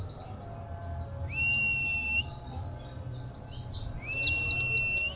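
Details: Oriental white-eye, a local pleci kept for song contests, with strange, unique song character: slurred high chirps, two long flat whistles and a closing burst of bright rapid twitters, background hum throughout.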